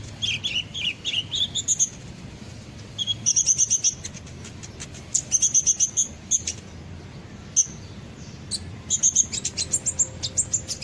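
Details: Kolibri ninja sunbird used as a lure to get birds singing along: lively mix of warbled mid-high notes, fast runs of very high ticks and scattered thin chips, coming in several bursts.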